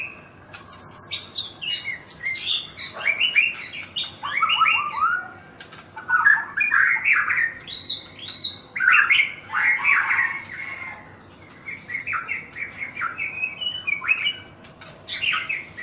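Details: White-rumped shama, a national champion songbird in Thailand, singing a loud, rich varied song of whistled and warbled phrases with rapid trills and harsh notes, delivered in dense bursts with brief pauses throughout.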